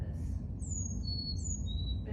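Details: Carolina chickadee song on playback, with the usual high, low, high, low pattern: four thin, pure whistles alternating between higher and lower pitch over about one and a half seconds. The song is squeakier than a black-capped chickadee's. A steady low hum runs behind it.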